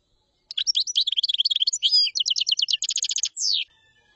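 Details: Common chaffinch in full song: quick varied notes speed up into a rapid, regular trill of repeated notes, then end in a sweeping downward flourish. The whole phrase lasts about three seconds, with no other sounds.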